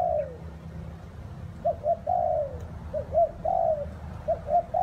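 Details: Spotted dove cooing in rain and wind. A falling coo opens, then phrases of two quick soft notes and a longer descending coo repeat three times. A low rumble continues throughout.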